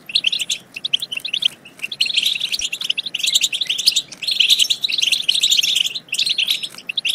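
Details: Dense, continuous European goldfinch twittering meant to excite goldfinches into singing and mating, with high tinkling notes in overlapping bursts and brief lulls.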